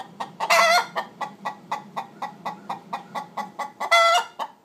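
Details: Several hens giving the egg-laying song, one hen waiting at the back door to lay while the nest boxes are occupied and others joining in; steady rhythmic clucks about four per second, with two louder drawn-out squawks.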